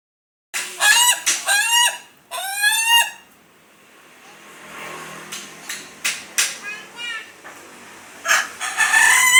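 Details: Crowing from a contest-quality Ayam Ketawa: two fast bursts of stuttering, laugh-like syllables, then quieter distant crowing and clucks over background noise, and a loud burst at the end.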